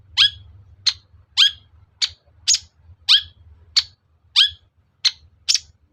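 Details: Long-tailed shrike giving about eleven harsh, buzzy, down-slurred notes in six seconds at a brisk, slightly uneven pace, used to provoke other shrikes into answering and singing, with low hum behind.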